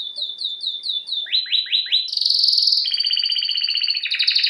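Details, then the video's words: Canary (Serinus canaria) singing as a training song: rapid repeated high chirps, then a run of downward-sweeping notes, followed by long buzzy trills and sustained rolling phrases, all high-pitched and clean with no background noise. "Bird song | Canary singing| training bird | best canary | Serinus canaria"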